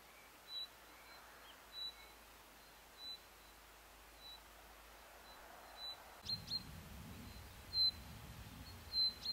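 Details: Woodlark (subspecies pallida) in Ronda, Spain, April 2011, singing short, clear, high notes about every second or so over a steady hiss, with a low wind rumble in the last few seconds.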